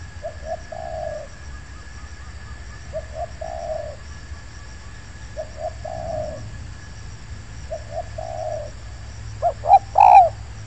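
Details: Spotted dove luring in an oil palm plantation. Faint, distant coo phrases, each two short notes and a longer mellow note, repeat about every three seconds, then one loud close phrase ends the sequence.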